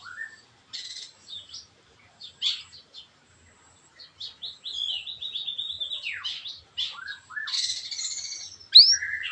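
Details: Rich varied song of a white-rumped shama, used to draw other shamas into singing: soft scattered notes building to a long jumbled run of slurred whistles, trills and a final sharp upswept note.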